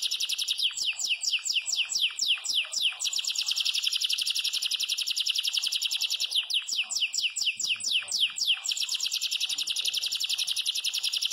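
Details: Yellow Belgian canary singing at length in campainha style: long, unbroken, very high, rapid trills of sharp repeated notes, broken now and then by brief runs of downward-slurred whistles, loud and steady throughout.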